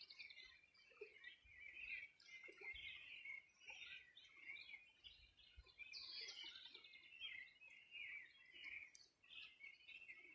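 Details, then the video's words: Several birds singing together on the bank of the Río Bueno, Región de los Ríos, on a summer morning in 2020; overlapping chirps and warbled phrases, mostly high-pitched, with bright bursts of trills and faint low rumble beneath. "Sonido de las aves a orilla del Rio Bueno"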